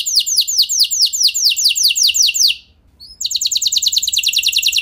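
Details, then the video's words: An F1 canary sings a trill to stimulate other canaries: a run of downslurred notes for two and a half seconds, a brief pause, then a faster, tighter trill. "Bakal Langsung Nyaut Gacor Do00r Kenari Mana Saja Dengan Pancingan Kenari F1 Ini"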